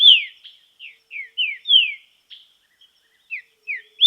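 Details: Green-winged saltator in nature, in training: loud clear whistled phrases, each sliding downward, given in a broken series of short notes with brief pauses, in a quiet setting.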